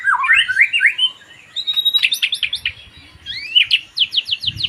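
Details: White-rumped shama singing a varied phrase: rising and falling whistled notes, then quick sharp downslurred notes repeated in short bursts, with brief pauses between phrases.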